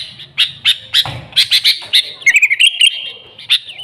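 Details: Sooty-headed bulbul, used as a lure for the species: loud, sharp chirps repeated in quick bursts, then a bright, level whistled note with short trills near the end.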